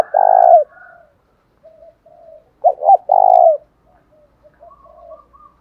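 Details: Male and female spotted dove lure calls for provoking fights: a long deep coo opening, a stuttered loud coo phrase midway, and soft low cooing notes trailing off.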